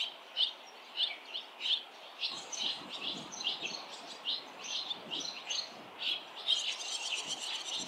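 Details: ['Barn swallow fledging scene, adults and young from seven already fledged nests flying past; sharp high chirps and twitters at irregular short intervals, with a soft low rumble of background noise.']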